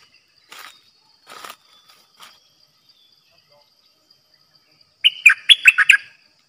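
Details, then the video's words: Caged bulbul kept as a trapping decoy gives a short, fluty, bubbling phrase of rapid notes, preceded by a man speaking Thai and a few soft knocks. "Suara burung merbah lekir"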